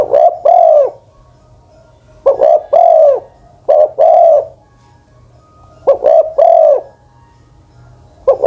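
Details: Spotted dove, an old decoy bird over ten years of age used on the ground: low coo phrases of two short notes and a longer drawn-out coo, repeated about every two seconds. The recording is loud and clipped, with a faint low hum.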